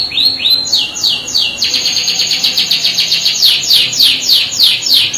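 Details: Canary in full gacor song used to spark other canaries to reply: a rapid buzzy rolling trill running into strings of quick high downslurred whistles repeated several times a second.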